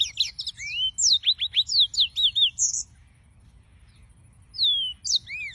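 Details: Yellow-fronted canary (Serinus mozambicus) song: a burst of quick, high slurred whistles and twittering notes for about three seconds, a short silence, then the bird resumes with rising and falling whistled phrases.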